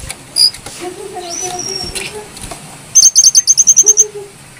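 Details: Brown-throated sunbird in active, clear-voiced song, used as a lure and training model for other songbirds: thin high whistles and a long flat whistled note, then a rapid run of about ten sharp repeated notes, with soft lower tones beneath.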